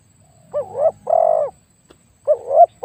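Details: Spotted dove decoy with a very deep voice: a wavering short note and a long steady coo, then a gap and a rising, wobbling note.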